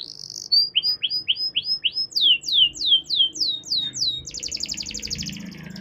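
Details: Canary in long song, used to encourage other canaries to sing: a slurred series of repeated downward-sweeping whistled notes, then a fast buzzy trill, with faint background noise.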